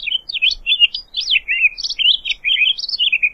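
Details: High, bright warble from a Townsend's solitaire: a quick run of looping, slurred whistled notes rising and falling without pause over about three seconds, clean and close.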